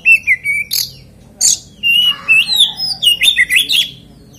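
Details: Lure song of an oriental magpie-robin, used to get other magpie-robins to sing: a level whistled note, then quick rising and falling whistles mixed with sharp chips, delivered in rapid bursts.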